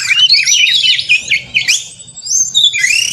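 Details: White-rumped shama in combative song to provoke other shamas: dense, squeaky, scratchy warbling mixed with slurred whistles, fading briefly before a fresh burst, low background hum.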